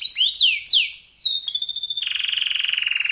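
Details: In Indonesia, a chatty canary sings a long, elaborate song used as master material for training songbirds: looping sweeping whistles and short clear notes, then a steady, fast, buzzy rolling trill to the end.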